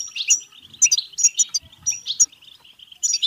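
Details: European goldfinch singing in the bitbita style, played to stimulate singing and mating: a brief burst of quick twittering with bright, ringing high notes repeating about every half second, plus faint low thuds.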